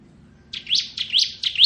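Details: Bar-winged prinia of the kristal type in ngebren song, recorded as tutor material for magpie robins: three quick, shrill rising chirps in rapid succession, clean and high-pitched.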